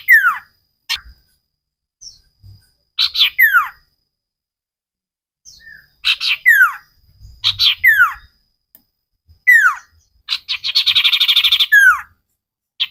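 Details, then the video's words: Common iora singing vigorously, a recording used to train cage birds: separated bursts of sharp descending whistled slurs, some doubled, with a brief buzzy rattle near the end and short pauses between phrases. "Burung cipow sirtu masteran Gacorrr banget"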